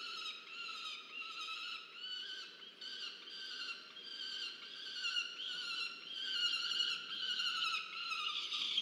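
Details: Peregrine falcon youngster at a research nest camera in Orange, Australia, 13 November 2022, begging a parent for food; rapid pulsing harsh cries merge into a long grating wail that grows louder toward the end.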